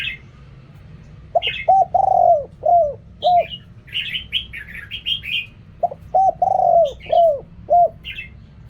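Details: Spotted dove, Thai 'riak kham, khu kham, ok rong' singing: two phrases of low, rounded coos with a long middle note, and a burst of busy higher chirping from other birds in between.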